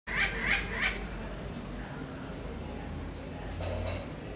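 A small bird gives three quick, high, thin chirps about a third of a second apart, then falls silent over a faint background hiss.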